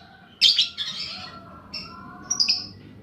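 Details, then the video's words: Paud balibu fighter lovebird on a lure recording for stimulating fighting lovebirds: a loud harsh chirp burst, then softer high notes and brief tweets. "pancingan burung lovebird paud balibu fighter mp3"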